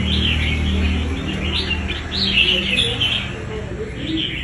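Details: Red-whiskered bulbul caught from the wild, singing in a fighting match: dense, tumbling chirrups and whistles, rising and falling, overlaid on a low hum that fades after the first second.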